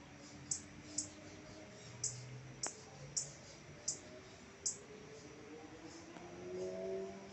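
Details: Tiziu, the blue-black grassquit, giving a run of seven short, high, sizzling notes spaced roughly half a second apart, then pausing, with a soft low hum and faint background noise.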